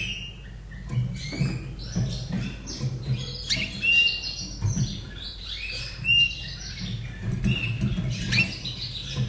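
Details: Austrian Slavujar canary, a caged bird from 2011, delivering a small song of quick chirps and short whistled phrases, irregularly spaced, with a constant low droning hum underneath.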